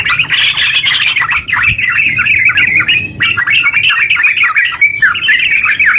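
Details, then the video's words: Long, rapid yellow-vented bulbul song played to coax silent bulbuls into singing; dense babbling chatter with a few short gaps and sharp high twitters, continuing throughout. "TERUCk gacor ropel panjang buat pancingan terucu biar bunyi"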